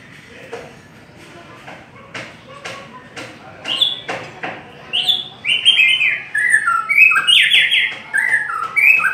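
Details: White-rumped shama singing a long song: a run of sharp clicks and short notes builds into rich whistled phrases that slide and warble, with quick high accents and varied, loud bursts through the second half.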